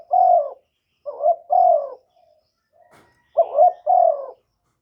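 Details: Spotted dove used as a lure, recorded close with no background noise; soft, low two-note coos, a clipped first note then a longer falling one, three phrases separated by quiet gaps.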